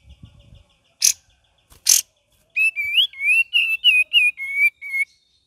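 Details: Cream-vented bulbul singing gacor and ngeriwik variations used as a lure recording: faint chatter and two sharp bursts, then a quick string of about nine bright, wavering whistles near the same pitch.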